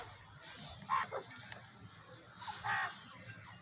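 A Chukar partridge gives two harsh, raspy calls about a second and a half apart, over a low steady rumble.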